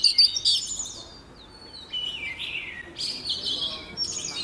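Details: Female Oriental magpie-robin singing to spur a row of males into singing: high whistled and buzzy phrases, a loud opening burst, then quieter sliding notes and renewed trills after a pause.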